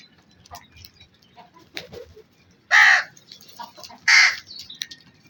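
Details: Black crow giving two loud, harsh caws about a second and a half apart, with softer scattered bird calls in between and a quiet background.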